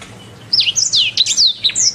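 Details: Canary song recorded as a training master: after a short quiet start, a quick series of bright downslurred whistles.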